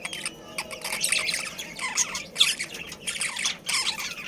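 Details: Captive breeding colony of budgerigars, kept as pairs with family, giving dense high chirping chatter with bursts of harsh squawks, uneven in rhythm and overlapping from several birds.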